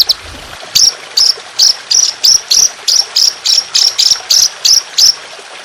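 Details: Trotolan singing harsh, continuous 'shot' phrases for songbird training, with trickling water behind. A single bright, buzzy chirp repeats about three times a second in a steady, even series.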